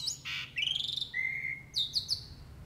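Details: Jalak uret starling delivering a vigorous full 'isian' song: a harsh burst of notes, a rising buzzy phrase, a long level whistle, then a run of sharp high chips.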